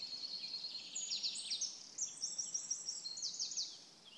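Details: Eurasian wren singing at PP Březinka, Náchod-Běloves, on 5 June 2016: a loud, high, rapid song of fast trills and sharp ticking notes, run together in dense bursts with no pause, over a quiet background.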